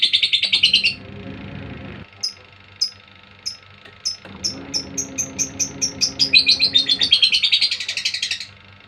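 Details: Lovebird sound used as a lure to provoke a male to sing: rapid series of sharp high chirps, first in a dense burst, then spaced clicks quickening into a fast chattering run, with low background hum.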